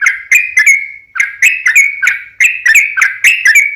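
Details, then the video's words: Sooty-headed bulbul lure song intended to set other bulbuls singing: short bursts of bubbly, slurred whistles, with a brief gap after the first phrase. "SUARA trucukan gacor RAJA PIKAT tarung ropel panjang"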